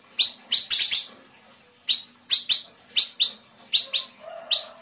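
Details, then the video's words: Small Sumatran siri-siri singing energetically in a fast, dense style, used as a master recording for cage birds: sharp, high chipping notes in quick clusters of two to four, with short pauses between bursts. "Siri-siri kecil gacor tembakan rapat"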